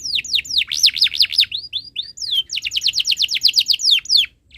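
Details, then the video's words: Tutor song of a domestic canary for young birds learning sounds: fast series of looping, swooping whistled notes, a brief pause, then another long run of repeated sweeping syllables. "Suara Burung Kenari ● Masteran Kenari Paud Belajar Bunyi | Kenari Gacor Cuit Cuit Panjang"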